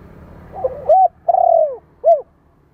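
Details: Spotted dove cooing, a sound used to stimulate and train young birds: a few soft rising notes, then a long descending purred coo, then one short arched coo. A faint low hum underlies the start.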